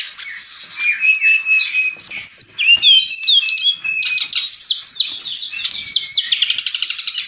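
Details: Brown-chested jungle flycatcher in full song, used for training cage birds: a long, non-stop medley of thin high whistles, sharp upslurs and buzzy rattling phrases, steady and loud throughout.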